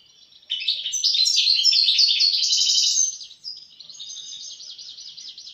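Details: European goldfinch in full song: a loud, rich, tinkling jumble of rapid chirps and trills for over two seconds, followed by a quieter, even, rattling trill.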